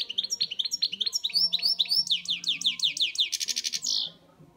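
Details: European goldfinch kept as a pet delivers a lively, continuous song of rapid high twitters, then a run of descending slurred notes, ending in a dense buzzy trill before falling silent.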